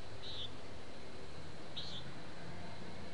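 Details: A common nighthawk recorded in town with a parabolic microphone gives two nasal, buzzy peent calls about a second and a half apart, over a steady low rumble of town traffic.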